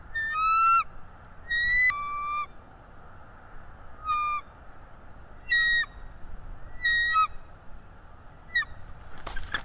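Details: Bald eagle chasing an intruder eagle away, filmed by a nest cam: spaced, high, thin whistled notes in short clusters, some dropping in pitch, with quieter gaps of low background noise between them.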